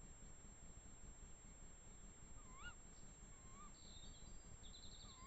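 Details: Pair of tawny owls in the Eifel forest near Dohr; brief rising yelping calls spaced about a second apart, followed by a small bird's high rapid trill, with constant low background noise.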